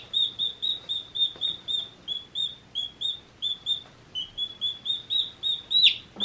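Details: One-day-old chicks with softer, flatter high peeps, evenly repeated about three per second over light background hiss, ending in one sharper louder chirp.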